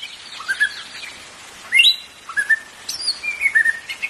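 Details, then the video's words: White-rumped shama song for prompting caged birds to sing; scattered whistled notes, some rising sharply, others level and sweet, with short gaps and a faint background hiss. "PANCINGAN MURAI BATU"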